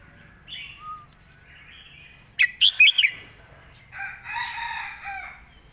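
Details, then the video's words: Caged red-whiskered bulbul in 'mae bot' master song style, giving one quick phrase of four sharp whistled notes midway, with softer warbling from other birds before and after. "วางสำนวนชัดๆ"เดินเพลงแม่บท ชัดถ้อยชัดคำ"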